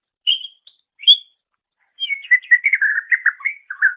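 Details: Greater green leafbird, known locally as cucak ijo, singing for training other songbirds: two separate high whistles, a pause, then a rapid jumbled warble of chirps and slurred notes, with no background noise.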